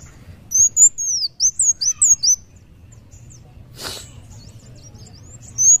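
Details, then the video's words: Sunbird of the type called wulung in vigorous song, giving a quick string of high, arched, sliding whistles, a pause broken by a brief rustle, then one more high note at the end. "kolibri wulung muncang daun gacor"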